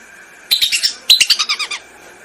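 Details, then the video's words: Lesser whistling duck lure recording: two short runs of quick, bright whistled notes, the second longer, with about ten sharp pulses that slide downward. "MP3 pikat BELIBIS//suara ASLI, jernih & keras"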